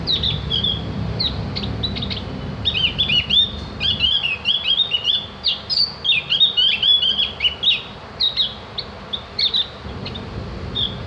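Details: Javan grey-throated white-eye, locally opior jawa or cak gentong, recorded as tutor song so other birds learn to chatter (ngriwik) and sing: long run of bright, wavering high twitters and slurred chirps in rapid bursts, low rumble early on.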